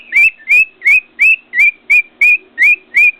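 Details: Caged pet cockatiel on top of its cage by a mirror, whistling a steady series of nine short rising notes, about three each second, loud and clear over a quiet room.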